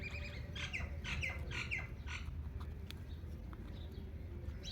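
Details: Indian ringneck parakeet chattering in a burst of short, repeated, nasal harmonic notes, roughly two per second, then trailing off into faint chirps over steady low background noise.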